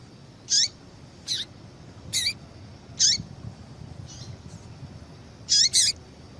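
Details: Female yellow-bellied seedeater calling to make a male sing: a string of short high chips, often with a falling tail, roughly every second, ending in a quick double note.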